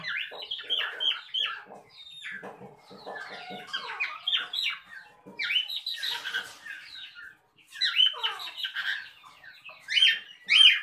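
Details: Captive cockatiels (Nymphicus hollandicus) give shrill, scratchy squawks in quick bursts, with softer low chattering underneath.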